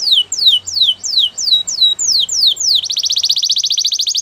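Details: Canary training song: evenly spaced, strongly descending whistles about three per second, switching abruptly into a fast, even rattling trill.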